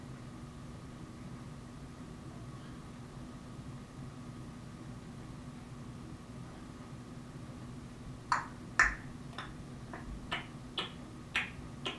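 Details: Steady indoor background noise, followed in the last four seconds by a series of sharp, evenly spaced clicks.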